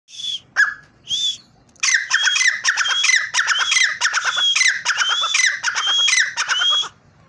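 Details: Partridge calling in a repeated series of loud, harsh squawking notes with rising whistled overtones, about one and a half calls per second after a few separate opening notes.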